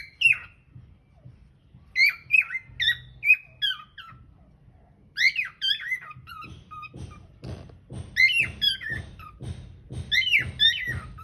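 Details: Cockatiel singing, filmed on a hidden camera: bursts of whistled, warbling notes with strong harmonics, some rising and falling, in groups of several phrases, later joined by soft low thumping or tapping in a room.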